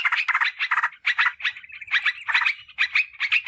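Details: Yellow-vented bulbul sound used to lure wild birds and tutor caged ones: three quick, sharp chirp clusters open, followed by looser phrases of scratchy chattering with brief gaps.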